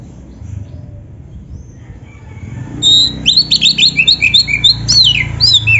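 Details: Oriental magpie-robin, a singing bird in full varied song: after about three seconds of near quiet with low rumble, a rapid run of loud whistled and trilled notes sweeping up and down, repeated several times a second.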